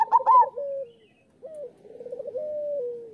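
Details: Zebra dove song for training doves; a loud bubbling opening, gliding coo, pause, then a stuttered rolling trill ending in a long drawn-out coo.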